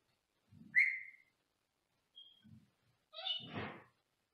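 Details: Male Senegal parrot kept in a small cage in another room indoors, giving a sharp upward-sliding whistle, then after a pause a harsher, rasping squawk with light thumps of movement in between.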